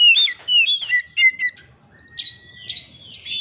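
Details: Oriental magpie-robin singing energetically while seeking a rival, used as a lure to draw out another bird's full repertoire: sharp whistled notes and slurred phrases, then a long steady high whistle with fluttering upper notes, over a faint low rumble.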